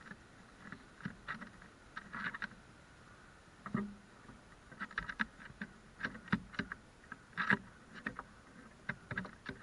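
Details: Irregular tapping and knocking sounds with soft rustling between them; no clear animal calls.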